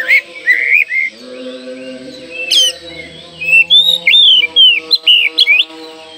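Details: Oriental magpie-robin in full song, meant to spur young birds and provoke rival males: rich sequence of whistled, warbling and sliding notes, growing faster toward the end, over a steady low humming tone.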